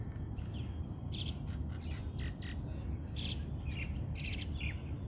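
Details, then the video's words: A crowd of mynas gives harsh, squawky, overlapping calls in quick bursts over a steady low rumble of wind or distant noise. "Myna Birds Crowding"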